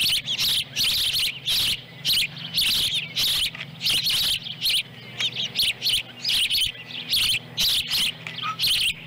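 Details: Ospreys calling at their nest near Lolo, Montana, on a July 2017 morning as the mother delivers a small fish and a chick swallows it. A long run of insistent high whistled chirps, one burst after another with hardly a pause.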